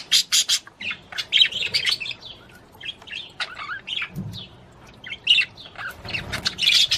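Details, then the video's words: Budgerigar chirping and warbling to stimulate the female to mate, bursts of sharp high chirps and scratchy notes separated by brief pauses. "تغريد طير البادجي لتحفيز الأنثى على التزاوج"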